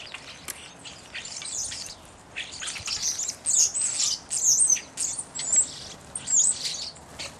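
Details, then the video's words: Evening grosbeaks: bursts of high, chattering chirps and squeaky notes that come in uneven clusters about once a second, several birds overlapping, over a faint steady hiss. "Evening Grosbeak"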